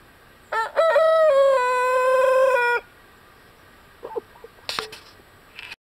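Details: A 6-month-old, 8 lb Dark Brahma rooster, recorded 24 November 2021, gives one crow lasting about two seconds: a brief rising start, then a long, steady, slightly falling note. A few faint knocks and soft clucks follow.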